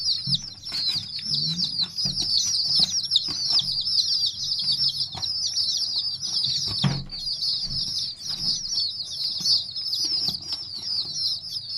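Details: Chicken chicks calling: a dense stream of shrill high peeps from several birds, with occasional taps and fluttering sounds.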